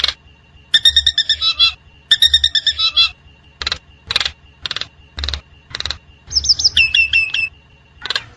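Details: Nias hill myna singing in the wild: harsh chattering bursts, then a string of loud raspy single notes about half a second apart, closing with a run of clear hooked whistles and one more rasp.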